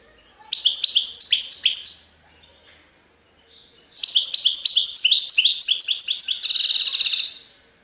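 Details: European goldfinch singing in the sarfati style with tiwawati phrases: two bursts of fast, bright twittering notes with metallic chirps, ending in a dense buzzy trill, separated by a short pause.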